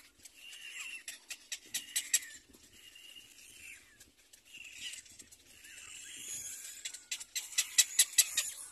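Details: Little black cormorant chicks begging at the nest for their mother's food, with thin whistled squeaks broken by bursts of fast, sharp clicking, in loud volleys near the start and end.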